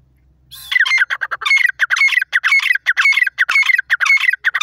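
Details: Francolin (teetar) calling: loud, harsh, squawking notes delivered in rapid, dense bursts that repeat steadily after a brief quiet start, with no other clear sounds.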